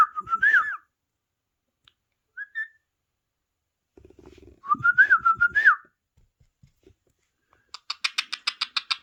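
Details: Wavering whistled phrases from a pet parrot kept indoors near a phone playing parrot videos, separated by short pauses, then a fast run of sharp buzzy clicks.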